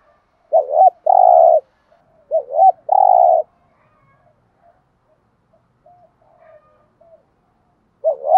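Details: Spotted dove thúc gù call for stimulating other doves: two close phrases of a wavering double note and a long coo, a quiet pause, then a third phrase starting.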